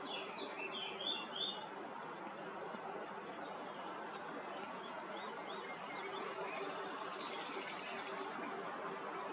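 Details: Common Redshank (Tringa totanus), one of a pair feeding at Altrhein Wyhlen nature preserve in May 2021, gives two short bursts of high, clear piping whistles several seconds apart, over a steady hiss of wind or distant water.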